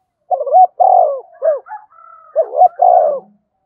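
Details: Spotted dove calling and provoking other doves: two phrases of low cooing notes, each a quick rising-falling pair followed by a longer drawn coo, separated by a faint thin whistle; indoor-sounding, otherwise quiet background.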